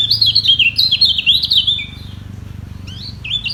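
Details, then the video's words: Yellow white-eye in a singing duel defending its position at the top: fast, high, warbled twittering with swooping slurred notes for two seconds, a short gap, then a few renewed chirps. "Demi Mempertahankan Posisi Kecial Kuning Ini Perang Suara Di Bawah"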